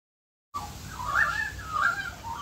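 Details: Australian magpies singing in an Australian backyard during rain: after a brief silence, warbling, slurred mid-pitched notes rise and fall in two louder phrases over a steady hiss of rain.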